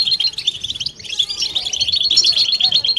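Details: Several European goldfinches in a group chorus meant to stimulate females and prompt mating song: dense, rapid twittering of high, tinkling chirps runs almost continuously, with a brief dip near one second.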